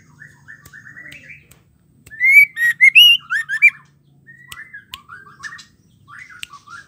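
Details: Female white-rumped shama singing to excite males into song: soft low warbles open, then a loud phrase of five or six rising whistled notes, followed by quieter chattering twitters and sharp clicks.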